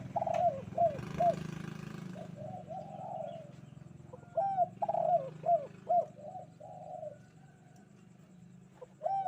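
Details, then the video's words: Spotted dove calling vigorously on a bright morning, with repeated husky coo phrases in two main bouts over a soft low hum and a burst of hiss near the start. "Di pagi hari nan cerah ☀burung derkuku kuk 2 gacor"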